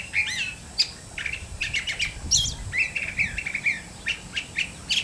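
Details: A curve-billed thrasher delivers a lively, varied song: quick sweeping whistles and clipped chirps in an uneven stream, set against a noisy outdoor background with low rumble.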